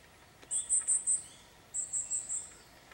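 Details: An Iriomote tit on Ishigaki Island, Okinawa, Japan, in December 2023 gives two quick runs of four very high, thin, piping notes, about five per second, with a short pause between runs; otherwise quiet.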